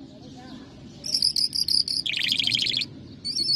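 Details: A Mashadi jal lark (Iranian/Afghan singing lark) sings a quick run of high, sharp repeated notes, then a dense buzzy trill and a brief high phrase, over a faint low hum.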